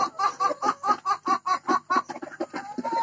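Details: Hybrid laying hen about to lay an egg, kept on a Thai farm, giving a laying call: rapid rhythmic clucks, roughly two per second, each a short harsh pulse, steady series then a softer trailing note at the end.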